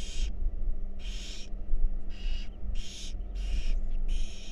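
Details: Young wild barn owls at their nest box while being fed: loud, breathy hissing screeches in five bursts close together, each about half a second long, over faint low hum.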